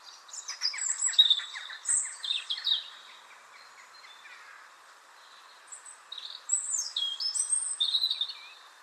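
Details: Song of a European robin, a very common Irish bird that sings year-round: high, sweet, scratchy warbling phrases, higher pitched than a blackbird with fast trills, in two bursts with a long pause between them, steady hum underneath.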